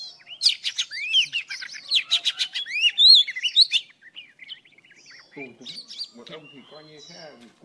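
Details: Morning song of an old wild Oriental magpie-robin, kept as a trapping lure sound. For about four seconds there are loud, rapid whistled slurs and chirps. Then it turns to quieter, lower, harsher notes with some faint background sound.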